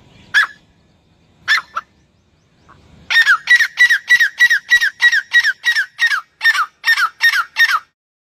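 A partridge chick gives two isolated harsh notes, then a rapid run of about fifteen loud, squawking notes, each dropping in pitch, several per second.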